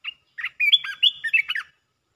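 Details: Red-whiskered bulbul kept caged, singing a rapid song phrase: a quick, continuous chain of loud, slurred, whistled chirps rising and falling in pitch, packed into just over a second.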